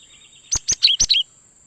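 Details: High, sharp chirps from a cinereous tit, a lure recording for catching wild birds: five quick notes in about a second, the later ones dipping downward, with a faint constant high whine behind.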